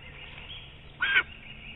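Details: A lesser spotted eagle calls at its Estonian nest, heard on a nest camera: a single brief, loud, rasping yelp after quiet hiss.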